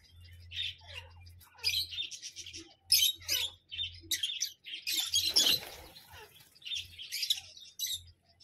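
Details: A parrot calling in repeated harsh, raspy bursts separated by short gaps, loudest in a dense screechy run midway through, with a constant low hum in the background.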